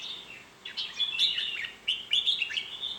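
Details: Red-whiskered bulbul singing short, bright, warbled phrases of rising and falling whistled notes, with brief pauses between bursts.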